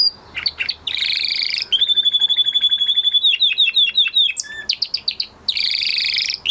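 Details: A male canary's post-moult song mixes buzzy, harsh bursts with a pure sustained whistle, then a quick run of sliding notes and more scratchy phrases, lively and varied.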